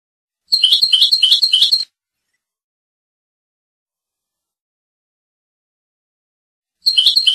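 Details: Tunisian Rasta goldfinch performing its Torka song: a rapid run of about ten evenly spaced buzzy twittered notes lasting over a second, then silence until the same burst starts again.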